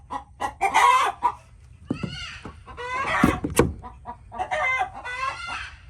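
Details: Flock of chickens giving harsh, irregular squawks and clucks, some notes sliding downward, packed closely over a steady low hum.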